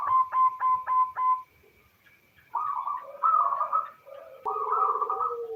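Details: Female local zebra dove calling the male, played as a lure to prompt males to sing: five quick pulsed coos in a row, a brief silence, then three longer rolling, throaty coo phrases.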